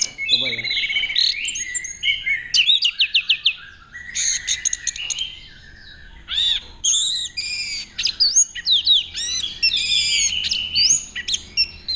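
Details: Kept orange-headed thrush from Mojokerto, Indonesia, performing in the teler display used to attract a mate. Rich, loud song of varied whistled phrases and rapid high trills, broken by short pauses, with faint background voices.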